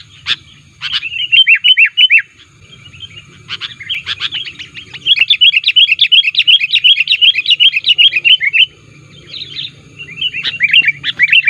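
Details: An active sooty-headed bulbul used as a lure call: long fast strings of rising-and-falling chirps, many per second, broken by short pauses, loud and insistent.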